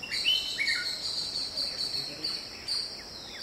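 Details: Red-whiskered bulbul in a garden giving a few quick, clear, downslurred whistled notes in the first second, then softer scattered notes, all over a steady high pulsing insect-like drone.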